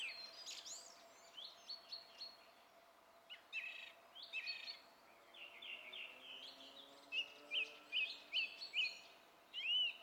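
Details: Song thrush singing on 27 April 2016: loud whistled and slurred phrases, then a short note repeated five times at steady intervals, ending in a rising-falling whistle.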